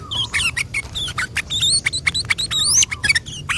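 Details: Gacor yellow-vented bulbul singing a long rolling 'ropel panjang' song, used as a lure to make other bulbuls answer; rapid sharp whistled notes and chirps, many rising and falling, packed densely with a low background hum.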